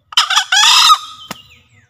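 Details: A Javan green junglefowl, used as a master or lure call, gives a single hoarse two-part crow: a rough opening note, then a longer harsh, buzzy phrase trailing into a faint whistled tail.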